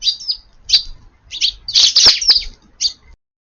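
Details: Busy Eurasian tree sparrows feed under the eaves of a garden on a rainy 7 June lunchtime. Loud, sharp chirps come in clustered bursts, one rapid noisy flurry in the middle, then a lone chirp.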